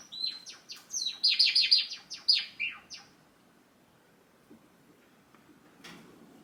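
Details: A hand-tame pet Java sparrow in its cage gives a rapid run of high, bell-like clicks and chirps for about three seconds, song and calls it makes when its owner tries to leave; faint room hiss.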